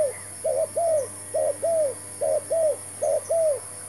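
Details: Spotted dove cooing, used as a decoy bird while being trapped: four phrases, each a short doubled note and then a longer, down-slurred mellow coo, repeated steadily about once a second over a low steady hum.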